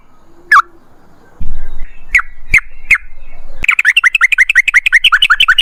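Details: Trucukan singing: a few isolated sharp notes, then a fast rolling 'ropel' run of bubbly chirps packed several to a second, with a low bump in the background.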